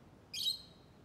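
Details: Lovebird giving one short, shrill, harsh chirp, bright and high-pitched, that slides slightly downward before cutting off, over a quiet background.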